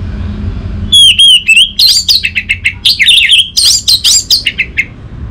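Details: Orange-headed thrush (Geokichla citrina) song used as a lure to get silent captive thrushes singing: a rich, varied run of clear whistles, slurred notes and quick chirps in rapid bursts, with low rumbling noise beneath.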